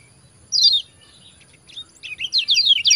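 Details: Yellow white-eye (kecial kuning) 'ciak ciak' song used to stimulate reluctant caged birds: one sharp, high descending chirp, a quiet gap, then a quick series of bright falling chirps.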